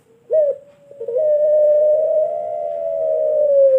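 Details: A pelung turtle dove kept as a master bird for teaching others gives a short sharp note, then a very long level coo held for over two seconds with only a faint downward drift at the end.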